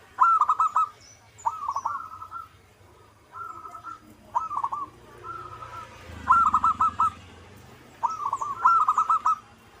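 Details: Local zebra dove (perkutut) singing vigorously in manggung style: short bursts of rapid, stuttering, mid-pitched cooing notes, repeated every one to two seconds with brief pauses, over a faint low background rumble.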